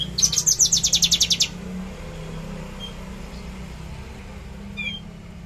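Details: Trotol-style outburst from a Javan bush lark: one fast, dense rattling trill of high notes lasting over a second, followed by near silence, a faint low drone and a couple of distant thin calls.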